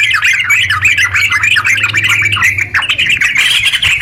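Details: A sooty-headed bulbul pours out long rapid song, the kind used to spur reluctant bulbuls to sing; busy warbled chatter of short slurred notes, a low steady hum beneath, easing slightly near the end.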